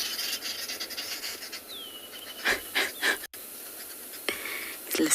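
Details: Arrow-marked babblers at sunset on 19 December in Tswalu Kalahari Reserve, South Africa, give harsh, raspy bursts of chatter, several in quick succession, with a thin falling whistle from another bird and faint background hiss.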